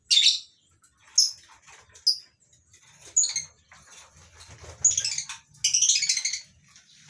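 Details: Morning scene in a lovebird colony cage on a farm housing several species: sharp high squeaks spaced about a second apart, building into a cluster of harsh overlapping chatter, with a low rumble underneath.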